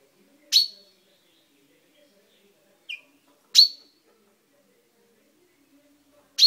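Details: Pet chaffinch in a cage, beak freshly purple, recorded on 10/05/12: loud, sharp metallic call notes repeated roughly every three seconds, with one softer, thinner note between, in a quiet indoor setting.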